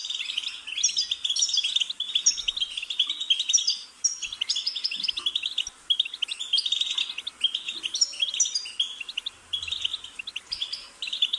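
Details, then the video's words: Goldfinch singing a long, fast run of bright tinkling twitters and short buzzy notes, high-pitched and almost unbroken, with brief pauses near four and six seconds; no other clear sounds. "Goldfinch's Singing"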